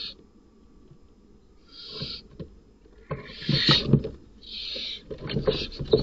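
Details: Barn owl nest box at night during a non-father male's attack on the chicks. Brief hisses break through heavy scraping, thumping and scuffling, with louder rasping screeches toward the end.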